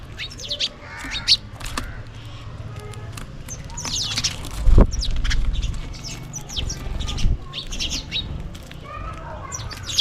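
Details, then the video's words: House sparrows feeding and calling for food, irregular bursts of chirps, a louder knock near the middle, and a low murmuring background. "Sparrow Birds Chirping and Calling for food"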